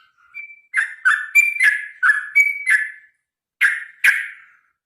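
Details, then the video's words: Sooty-headed bulbul (trucukan) giving a long rapid fighting-style song, used to get other birds singing: bubbly whistled phrases of rising and falling notes, densely strung together, then a short pause and two final bright notes. "suara trucukan gacor tarung ropel panjang"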